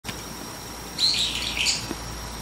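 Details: Brown-eared bulbul calling early in the morning from a tree branch: a brief cluster of shrill, high squeaky notes lasting under a second, over a steady background hiss.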